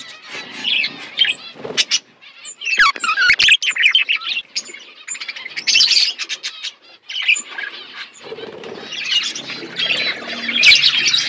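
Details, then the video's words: Budgerigars feeding as a flock on winter food in Asia; bursts of bright chirping and warbled chatter separated by short quieter gaps, with some thumps and rustles between calls. "Beautiful budgies flocks Budgies parrots winter foods"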